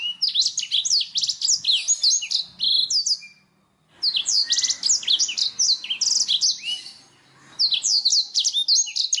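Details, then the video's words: A Black-throated canary sings a clean, sustained song meant as tutoring material for songbirds, especially canaries. Quick, sharply whistled notes and rolling trills come in two long bursts separated by a short gap, then another pause. "suara burung Blacktrhoat"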